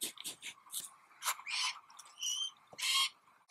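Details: A family of Glossy Black Cockatoos feeds on hard seeds from an Allocasuarina tree while the fledgling noisily begs for food with roughly eight harsh, rasping, wheezy bursts in quick irregular succession and one brief thin whistled note.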